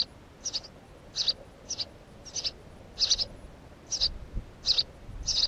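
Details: House sparrow repeating clipped, high cheeps, some in quick pairs, spaced irregularly at under a second apart, with a faint low thump near the end.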